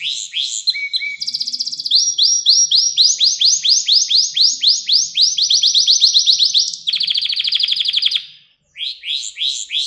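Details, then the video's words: Long canary song phrase for training young canaries: brief whistles, a sustained run of loud rising upsweeps repeated several times a second, then a dense buzzy trill, a pause, and more sweeps. "Ders Gibi Kanarya Sesi Ve Ötüşü"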